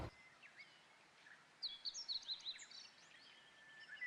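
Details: A Japanese bush warbler singing overhead on Mount Rokko on the spring equinox, 21 March, gives a quick, high, twittering run of notes lasting about a second; fainter chirps and steady outdoor hiss.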